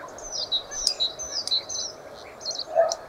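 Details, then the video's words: Common starling giving bright, high chirps and short whistled notes in quick, irregular bursts, with a lower note near the end over a quiet, steady background. "Čvorak / A Common Starling"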